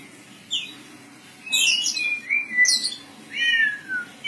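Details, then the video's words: Oriental magpie-robin giving scattered whistled notes and gliding slurs, including rough, buzzy high bursts and a long descending whistle near the end. "dengarkan kicauKACER INI"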